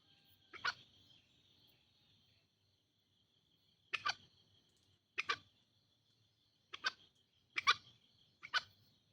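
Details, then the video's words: Green junglefowl recorded as a lure for wild birds: six brief, rough, broadband calls at uneven gaps of one to three seconds, with a constant high-pitched insect drone behind them. "masteran pikat ayam hutan hijau"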